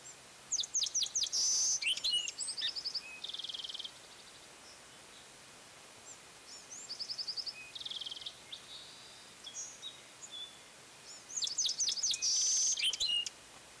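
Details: Bald eagle calling at Fraser Point in late afternoon, 27 March 2019: bursts of high, thin, rapid chittering notes in short series, with several separate call bouts and quiet gaps between them against steady background hiss.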